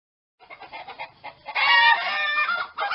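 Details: Chickens with a rooster calling, soft broken clucks building after half a second into a loud, dense run of overlapping wavering harmonic calls from about 1.5 seconds onward.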